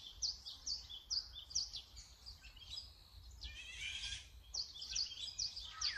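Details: Azure-winged magpie utters a series of short, sharp high notes about every half second, broken by one loud harsh rasping burst, then the quick notes resume.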